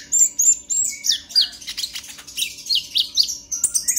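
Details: A konin, the purple-throated sunbird, pours out agitated chatter used as a lure: rapid, uneven high twitters and short upslurred whistles, several notes each second, continuous throughout.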